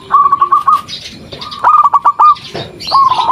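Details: Actively singing local zebra dove used to draw responses from other doves: three quick bursts of rolling coo notes within a few seconds, with rustling and scratchy noise between phrases.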